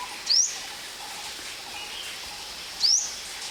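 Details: Call of the Ornate Sunbird, one of the commonly found sunbirds of Thailand, recorded at a drinking and bathing hide: a pair of sharp, rising, high-pitched notes roughly two and a half seconds apart, with faint constant background noise.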